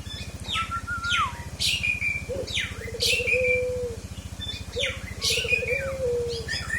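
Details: Kepodang hutan, a forest oriole, in fill-song recording: bright descending high whistles and sharp chirps alternate with lower long slurred whistled phrases, all over a constant low droning hum.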